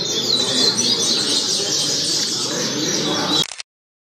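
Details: A rusty-collared seedeater, a tournament tutor bird used for song training, pours out a fast, dense run of high, twittering notes with no pauses; the clip ends abruptly.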